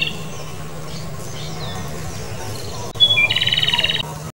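A Japanese robin gives a high, clear whistled note, then a fast, dry rattling trill for under a second, over a steady low hum.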